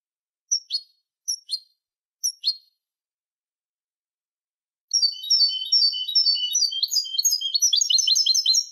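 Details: European goldfinch song meant for tutoring young birds: three short sharp call notes spaced about a second apart, a pause, then a continuous lively stream of high tinkling twitters and trills.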